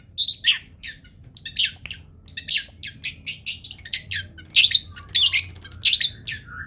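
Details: Long-tailed shrike singing vigorously as a cage-bird training recording: harsh, raspy bursts and short high chattering phrases delivered in quick, irregular succession, with a soft low background hum throughout.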